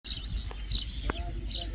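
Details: Common myna (Acridotheres tristis), song.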